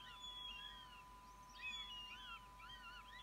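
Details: Fledged wild northern goshawk coming back to snatch food, giving drawn-out, high, arched squeals in quick, uneven bursts, several overlapping, against a steady background hum.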